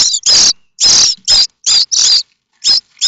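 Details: Common starling nestlings at Théding, France, 7 May 2024, begging as a parent seems to arrive with food: loud harsh hissing squeals in uneven bursts of varying length.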